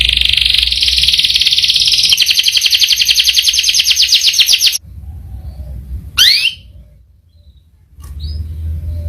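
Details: Canary singing a sustained rolling trill that grows into rapid pulsed notes, stops, then a single sharp sweeping call follows.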